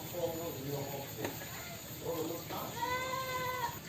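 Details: Greater green leafbird giving rich, slightly nasal whistled phrases mimicking a plaintive cuckoo (kedasih), ending in a long, steady whistle, over a low background hum.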